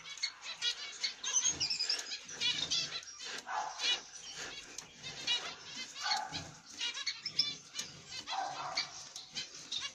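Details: A captive pair of Zebra finches, a black-cheeked masked-mutation male and a masked carrier female, with their chicks in the nest, chatter with dense, nasal, buzzy calls and short high twittering phrases, with fluttering wings in the background.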